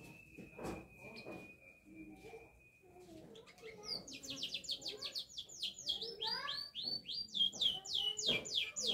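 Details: Canary singing: a long steady whistle, then a rapid rolling trill of descending high notes, with faint voices in the background.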